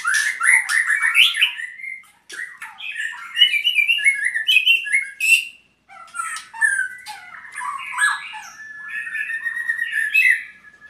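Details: Albino white-rumped shama (murai) giving a fast, varied song of harsh chattering bursts, squeaky notes and whistles, with two short breaks of silence.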